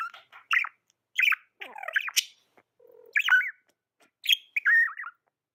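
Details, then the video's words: Pet budgerigar chirping: short warbled, bending chirps with quick up-and-down slides, given in bursts about every half second to a second, with brief quiet gaps and a low buzzy note in between. "Amazing budgie chirping sounds"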